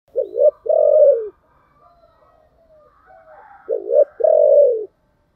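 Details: Spotted dove decoy bird with a thick 'thổ'-style voice, calling to lure wild doves. Two loud phrases, each a short wavering double note then a long, steady, deep coo. Softer distant cooing fills the gap between them.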